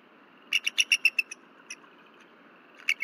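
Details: At night on 15 February 2023, a female bald eagle at her Berry College nest, alarmed by something flying nearby, gives a fast run of six thin, high, squealing notes, then a lone note and a brief pause before calling again.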